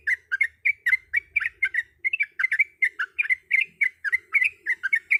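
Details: Sooty-headed bulbul female calling the male, used as a lure: a steady stream of quick, bubbly, slightly squawky notes, about four per second, with no pause.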